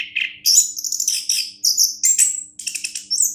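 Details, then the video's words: A champion orange-headed thrush pours out a dense stream of sharp, high twittering notes and brief whistles with hardly a break; a soft electrical hum runs underneath. "anis kembang juara"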